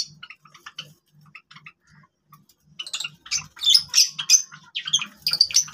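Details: Java sparrows kept as captive birds: sparse soft clicks at first, then a louder burst of bright chattering chips and ringing notes in the second half.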